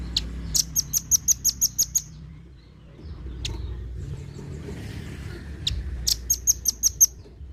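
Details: Velvet-fronted nuthatch, a harsh-voiced bird used to train competition songbirds in Indonesia: two bursts of about eight sharp, high ticking notes in rapid succession, separated by a pause with a few single clicks and a low passing vehicle rumble.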